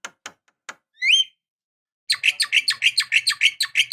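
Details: Female Javan myna calling to a male, used as a lure recording: a few dry clicks, one short harsh rising note, then a fast run of loud grating chattering notes, about three per second.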